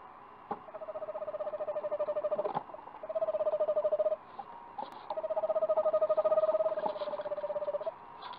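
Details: Eastern screech owl recorded on 29 March 2019 from a nest-box livestream, giving three long, even, rapidly pulsed trills on one steady low pitch, each lasting about two to three seconds with short pauses and faint clicks between.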